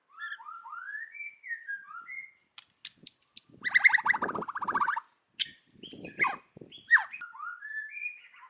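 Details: White-rumped shama singing forest-style: smooth whistled rising and falling slurs, then a loud rattling burst and sharp clicks, ending in mixed whistled notes.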